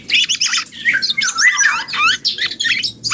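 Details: A young black-and-yellow oriole learning to sing produces a dense, continuous babble of harsh notes interwoven with short downward-slurred whistles and scratchy chatter.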